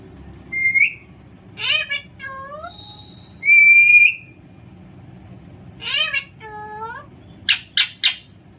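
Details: Alexandrine parakeet in a playful mood: loud rising and falling screechy notes, one long flat held whistle, and a final run of three sharp clipped squawks, with quiet background hum.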